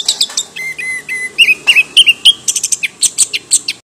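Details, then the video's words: Orange-headed thrush (Zoothera interpres), a Southeast Asian forest songbird, giving steady whistled notes that break into quick, rapid chirps and high, sharp twitters, several per second, with no other sounds behind. "橙头鸟 anis kembang bird orange head"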